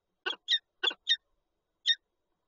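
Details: Nesting Peregrine falcon pair in Lublin, Poland, eggs in the nest, 19 March 2022; five quick, grating calls, the first ones rough and wide, the later ones thinner and higher.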